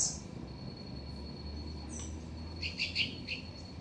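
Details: Green-barred woodpecker visiting a garden, giving a quick burst of four or five sharp, high, clipped notes over a thin steady whine and a low background hum.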